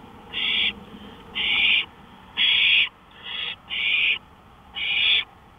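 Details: Owl calling at 1:53 AM on May 5, 2013, out on a porch: six harsh, raspy hissing bursts of about half a second each, repeated roughly once a second over quiet night background.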